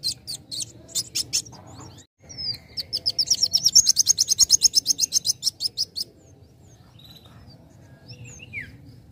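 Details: Young sunbird, its song meant to provoke others to sing: scattered high chirps, then a long, fast buzzy trill lasting about three seconds, followed by quiet, faint calls.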